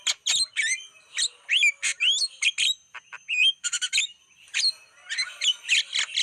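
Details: Recording of a Javan myna played to lure wild birds: lively mix of sharp chips, squeaky slurred whistles and harsh notes in quick succession, briefly pausing midway.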